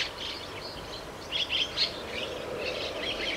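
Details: Young chestnut-cheeked starling in a garden in the morning gives a begging call, harsh raspy notes in a quick cluster of bursts over a steady hiss.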